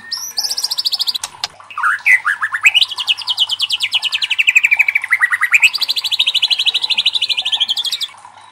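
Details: Loud White-rumped shama song meant to provoke rival shamas to sing: long rapid trills that climb and fall in pitch like a rattling sweep, repeated about three times per second, with brief chattering notes at the start.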